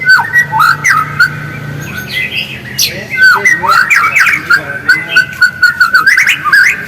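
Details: White-rumped shama song, real voice used as a lure to provoke other shamas into lively singing; fast, dense run of varied whistled notes, sharp rising and falling sweeps and chattery bursts throughout, with a low steady hum during the first two seconds.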